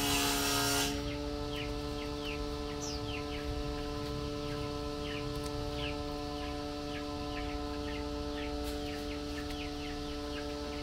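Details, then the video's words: Female Chinese hwamei calling to the male while being fed mealworms: rapid series of short, downward-sliding chirps, several per second, over a steady electrical hum; a brief loud noise burst opens the recording. "Tiểu mi mái chép gọi trống khi cho ăn sâu gạo"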